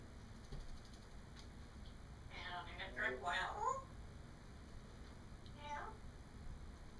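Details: Pet parrot babbling in speech-like chatter, heard off camera while a second caged parrot plays, a short burst of voice-like syllables in the middle over steady background hiss.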